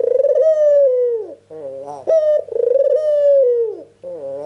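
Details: Ringneck dove in full voice, played as a lure for answering birds: two long, resonant coos, each sagging slightly toward its close, separated by short rising notes, with a soft steady hum behind.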